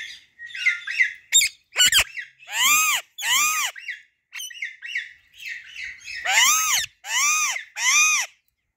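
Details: Female Alexandrine parakeet calling in its natural voice: soft chattering chirps at first, then a run of loud, harsh, arched squawks, each about half a second long, coming in quick succession toward the end.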